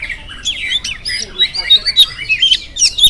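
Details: Oriental magpie-robin in lively morning song meant to spur other magpie-robins into singing, a dense stream of rapid chattering notes and sweet rising and falling whistles, growing louder toward the end.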